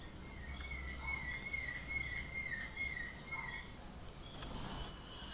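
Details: Rufous hornero calling: a rapid series of loud, ringing whistled notes, slightly wavering and falling, lasting about three and a half seconds, over soft background noise.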